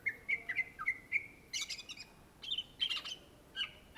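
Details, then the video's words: Greater green leafbird, or cucak ijo, from Indonesia, in gacor song: a rapid string of clear whistled notes, then loud harsh chattering bursts and further ringing whistles. "SUARA BURUNG CUCAK IJO GACOR , TELER"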